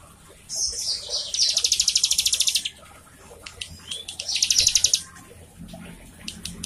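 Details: Two bursts of high, evenly pulsed trilling from a prinia, each preceded by a brief whistled lead-in, for encouraging a captive bird to sing.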